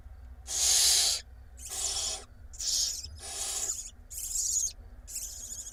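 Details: Hungry barn owl nestlings in an Israeli nest box, filmed 13 April 2021 as the mother feeds them: rasping, broadband hisses repeated about every second, five to six bursts, the first loudest, faint background hum.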